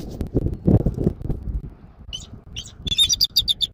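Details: Bald eagle at a nest in Southwest Florida at dawn, 14 January 2024: after wind gusts, a few high chips build into a fast, piping chatter near the end.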